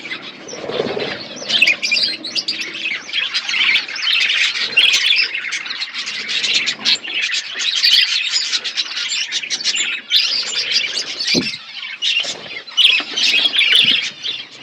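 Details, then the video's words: Several pet budgerigars chirping while eating food: dense overlapping warbled chatter and short high chirps running continuously, with soft clicks and a low thump near the end. "Beautiful budgies chirping sounds birds eating food"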